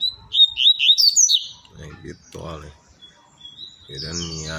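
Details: Captive double-collared seedeater singing in the tui tui zel zel style; a quick run of clear whistled notes sliding up and down, followed by a man talking about the bird wanting to nest.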